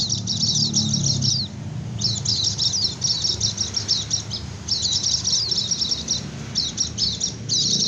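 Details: White-eye giving 'ngecir' song, used to lure wild white-eyes and get reluctant birds calling back: repeated high, rapid, chattering twitter runs with short breaks, over noticeable low rumbling background noise.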